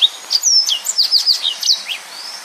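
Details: Brief, tightly packed phrase of yellow-fronted canary song, a rapid series of high, thin downslurred whistles and chips, fading into a long, faint high whistle at the end.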